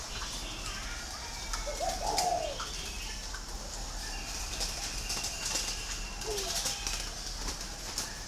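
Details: Green pigeon uttering a warbling, wavering whistle of about a second, then a shorter, fainter whistle a few seconds later; scattered high chirps of other birds over steady hiss.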